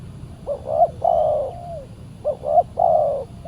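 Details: Spotted dove calling on a Saturday decoy-trapping outing, a very aggressive wild bird answering. Two phrases, each a clipped double coo leading into a sustained, slightly falling coo, with a low background hum.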